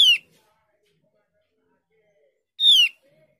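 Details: Javan grey-throated white-eye used as a lure to prompt other white-eyes to reply: two loud harmonic notes that slide downward, one at the start and one about two and a half seconds later, with quiet gaps between.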